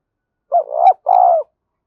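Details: Decoy spotted dove with a lively 'thổ pha thúc' voice: two deep hoarse coos in quick succession, the first rising and burbling, the second longer and steady, then silence.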